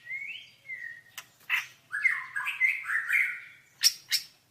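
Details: White-rumped shama in a training song recording: a clear whistle rising then falling, brief harsh notes, then a long sustained whistled phrase, ending with two sharp clicks.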